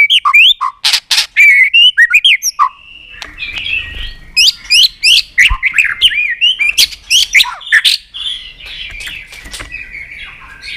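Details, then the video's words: Excited white-rumped shama giving fast loud chirps and whistled swoops, then quieter rambling subsong with occasional sharp notes and a soft background murmur. "chòe lửa đập tạch cực sung. kích thích chòe lửa lên lửa. chòe lửa đánh đuôi sàn cầu.kích chòe lửa"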